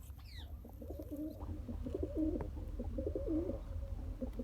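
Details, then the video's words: Pigeon father pumping food into a one-day-old chick; continuous throaty, rolling cooing phrases repeating across the clip, a few brief higher squeaky sweeps at the start, steady low hum underneath. "Pigeon Feeding Original Sound"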